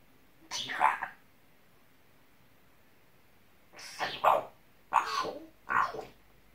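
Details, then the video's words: A pet talking parrot, scolded by its owner for swearing, utters four short, harsh, speech-like phrases, one alone then three in quick succession, in a quiet room. "Говорящий попугай ругается на хозяина попугай матерится на хозяина"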